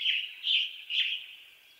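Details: Western tanager song from western North America: three quick, rough, burry phrases in rapid succession, fading out afterwards, with no other clear sounds.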